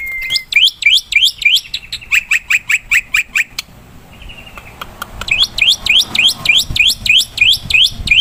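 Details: Black-winged myna singing 'gacor' in the wild, used as a lure. Rising, upswept squawky whistles are repeated in quick series. A run of harsher chips follows, then a short pause, before the upswept notes resume.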